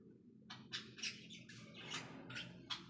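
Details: A pet Cockatiel gives harsh, scratchy chirps, several in quick succession about every half second, over a low rumbling background noise.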